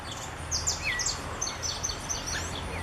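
Creamy-bellied Thrush giving thin, very high chirps and short slurred notes, with one lower downslurred whistle, scattered over a steady hiss of outdoor background noise.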